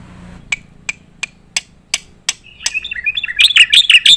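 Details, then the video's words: Black-winged myna, recorded as a tutor for competition birds: sharp isolated ticks roughly every third of a second, building into a quick run of loud, warbled chirps at the end. "jalak putih gacor full nembak isian untuk masteran burung lomba"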